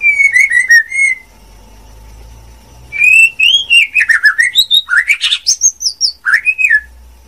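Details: Song of a female white-rumped shama: a short wavering whistled phrase, a pause with a low hum in the background, then a long lively string of slurred whistles rising and falling.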